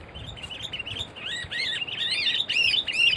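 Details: Sooty-headed bulbul at a bird-trapping session where two birds were taken: a fast, bubbly chatter of looping, arched whistles that grows louder and fuller toward the end. The background is quiet.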